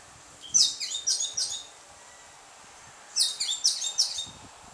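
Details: Carib grackle song at dusk in Martinique: two separate bursts of four or five shrill, squeaky chirps each, with a quiet gap of about one and a half seconds between them.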